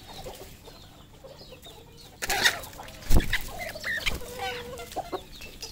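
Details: Farmed red junglefowl in Cambodia: soft scattered clucks at first, then sharp knocks at about two and three seconds, followed by a run of short clucking notes from several birds.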